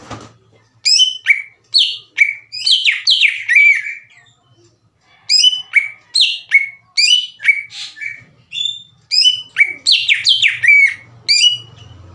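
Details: Greater green leafbird song used as a lure to excite other leafbirds: repeated sequences of sharp, descending whistled notes and chips in quick bursts, with a brief quiet gap midway.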